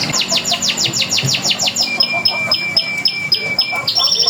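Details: Local canary singing a prompting song meant to draw replies from other canaries: rapid series of descending sweeping notes, about four per second, shifting into a sustained thin whistle with buzzy trills beneath.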